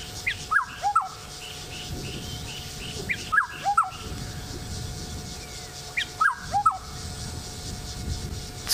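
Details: Liquid, fluting song of a black-headed oriole in a tree on 28 October 2016: short phrases of two or three downward-slurred whistles recur about every three seconds, with soft chattering from other birds behind.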